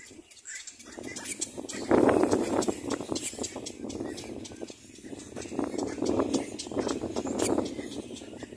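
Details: Little black cormorant feeding its chick, with dense rapid harsh pulses at about four per second that swell loudly, ease off, then build again.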